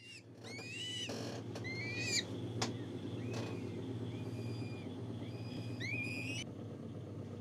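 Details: Captive gyrfalcon hybrid at a falcon breeding facility giving scattered harmonic calls, some rising then falling, others short and upward-bending, over a steady low mechanical hum with occasional clicks.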